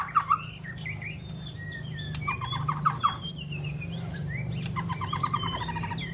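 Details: Long-phrased singing from a white-rumped shama: varied clear whistles, downslurred notes, quick rattled bursts and high thin tones, with pauses between phrases and a faint low hum beneath.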